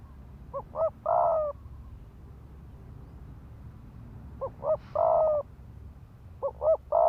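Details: Ground-decoy spotted dove giving quick provoking coos to rouse males to fight: repeated double short notes and a long hoarse coo over a soft hissing background.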